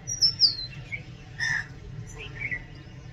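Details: Oriental magpie-robin giving a long, high whistle that slides downward, followed by a few softer, lower chirps and a short harsh note, with a low hum underneath.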